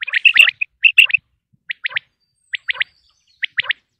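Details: Quail in Pakistan, its calls offered to hunters for attracting birds: sharp, high whistled notes, first in a rapid cluster, then in spaced groups of three quick pips roughly every second, on a silent background.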